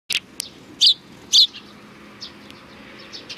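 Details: Sparrows at a Tenmangu shrine in Japan, recorded 22 May 2019: a few short, sharp chirps, with two louder ones near the middle and softer scattered chirps after them, over quiet background hiss.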